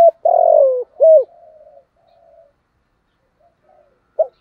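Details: Decoy spotted dove in 'giọng thổ' style giving a long rich falling coo and a short hooked note, followed by fading faint coos and one brief note near the end.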